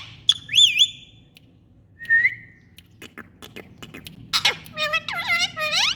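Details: Indian ringneck parrots: a high wavering whistle, then a short rising whistle, followed by scattered clicks and a burst of buzzy, harmonic squawks that rise and fall in pitch near the end.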